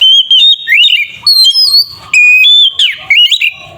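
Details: Song of an oriental magpie-robin, used as a lure to stir another bird into singing: loud piercing whistles, quick upward and downward slurs and varied phrases in rapid succession, with brief pauses and faint low noise.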